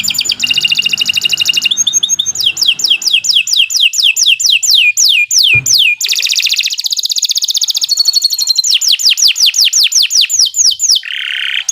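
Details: Canary performing long, unbroken song as a learning model for other birds: rapid, loud trills alternate with rolling chains of sharply falling whistled notes, continuing without pause, ending on a brief buzzy tone.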